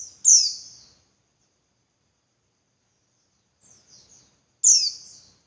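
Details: Calls of a female Javan white-eye, used to prompt males to sing persistently: two loud, high, downslurred buzzy bursts about four seconds apart, with a few faint notes between and otherwise quiet.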